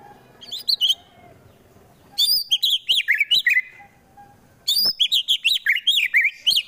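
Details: Harsh provoking song of a caged fighter White-rumped shama, Wonosobo, Central Java: three fast bursts of loud, sharply arched high whistles, each a dense string of repeated notes with short quiet gaps between.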